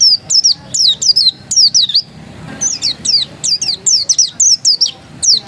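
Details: Oriental white-eye of the pleci dakun type, said to be still original, sings a lively, rapid series of shrill, falling whistled notes in paired clusters, with one short gap midway.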